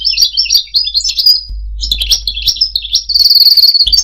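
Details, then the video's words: European goldfinch song for mating and for tutoring young singers: sweet, rolling twitters and warbles, ending in a sustained rapid trill, over a faint low hum. "مجموعة اصوات لطائر الحسون ل التزاوج و تعليم الحسون التغريد"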